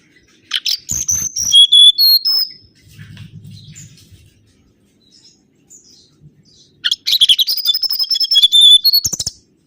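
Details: Mangrove whistler lure song: a burst of clear, sliding whistles and clicks, then a soft low rumbling lull, then a second, denser burst of bright whistled notes mixed with sharp clicks.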